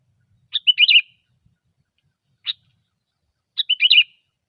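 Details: Sooty-headed bulbul singing gecor song for luring: a bubbling chirped phrase, a single sharp chip, then the same phrase again, clean and quiet background.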